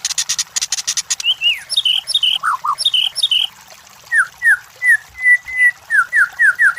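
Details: White-rumped shama song played as a lure for competition birds: a fast rattling burst opens, followed by repeated whistled phrases of swooping notes and a rhythmic series of short downslurred whistles repeated about twice a second.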